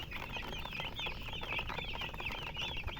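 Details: Several young chickens chirping together: rapid, bright, frequency-bending peeps tumbling over one another in a steady stream above a soft low hum.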